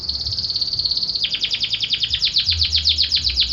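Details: Belgian canary singing: a steady, high rolling trill holds for over a second, then breaks into a rapid run of repeated, sharply descending chirps at a brisk, even pace.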